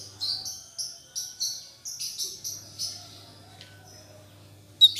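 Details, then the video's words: Black-headed bulbul, still learning its song after moulting, gives a string of about eight short, high chirps in quick succession, then falls quiet except for one sharp note at the end; a low steady hum underneath. "Burung Cucak cungkok gacor paska mabung"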